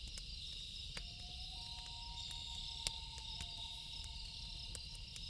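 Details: Nighttime loon wail: a drawn-out pure tone that steps up slightly and holds level for several seconds, with a second tone joining, set against constant cricket trilling and occasional snaps from a campfire.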